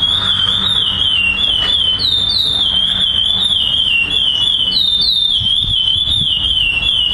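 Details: A chestnut-bellied seed finch, a black classic-song bird that placed first at a song contest in Florianópolis, Brazil, on 18 September 2011, sings a steady run of clear, wavering whistles, rising and falling without pause, over a faint low rumble.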